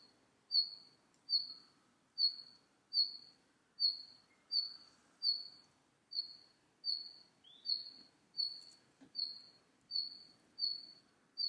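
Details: Red-flanked bluetail calling steadily: a long series of about fifteen thin, high whistles spaced under a second apart, with one lower slurred note midway and a quiet backdrop.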